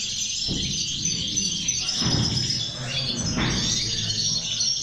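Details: Goldfinches in a 'corona de caderneras' heard in six batches, one singing hard. Bright twittering song runs unbroken across the high range, and soft low thumps land about every second.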